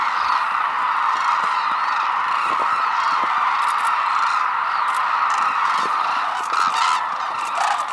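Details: Massed Hooded and White-naped Cranes at Arasaki Crane Center, Kyushu, Japan, amid rare snow; unbroken roar of countless overlapping calls, with a few sharper bugled notes standing out near the end.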